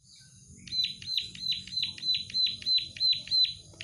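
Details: Plain prinia song starting after a short quiet lead-in, then a run of emphatic, wheezy, downward notes repeated about three per second over faint background noise.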